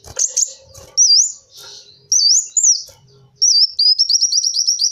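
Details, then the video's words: Kolibri wulung, a sunbird, singing thin, high squeaky phrases of wavy, rising-and-falling notes in short bursts, ending in a rapid run of repeated notes. "Suara burung kolibri wulung cocok buat suara pikatan kolibri"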